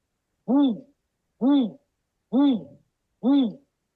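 Great grey owl giving four hoarse, barking hoots, each swelling up and dropping away, spaced about a second apart, with a faint thin high tone above.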